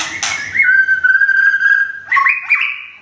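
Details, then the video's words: White-rumped shama, Thung Song, Thailand, in late moult after a recent move, holding a long steady whistled note for about a second and a half, then ending with quick rising slurs. "บินหลาดงทุ่งสง shama bird murai batu thailand"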